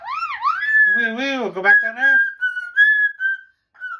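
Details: Pet cockatoo indoors whistling a happy tune: looping whistled sweeps, then steady whistled notes with brief pauses, while a person's voice briefly overlaps in the middle.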